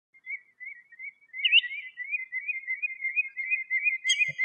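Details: Wild common redshank singing in natural surroundings in Greece: a fast, yodelling run of clear, wavering whistles at one even pitch that grows louder and goes on without a break, with a brief sharper note near the middle.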